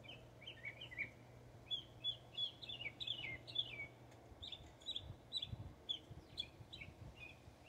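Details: A northern mockingbird in Texas sings a varied run of short chirps, slurred notes and trills, each phrase repeated a few times, over a low hum and faint background noise.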